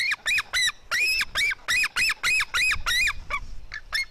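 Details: White-tailed eagle eaglets, a female and her brother, fighting at 16:09. A fast run of about ten short, arched, yelping notes, about three a second, ends in a few fainter, broken notes.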